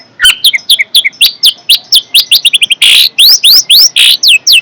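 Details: Long-tailed shrike, said to be fierce, delivering a rapid series of short, bright upward-hooked chirps, about four a second, with harsher buzzy bursts mixed in partway through.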